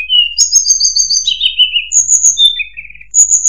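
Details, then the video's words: Murai buluh (tledekan) pours out a fluent song of sustained high whistles stepping down in pitch, then lower trilled notes and a final high whistle. "Burung Murai Buluh | Tledekan"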